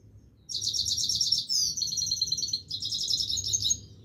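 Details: Himalayan goldfinch's unbroken song: a loud, high-pitched stream of rapid metallic twittering and trills running for over three seconds with hardly a break, over a quiet low hum.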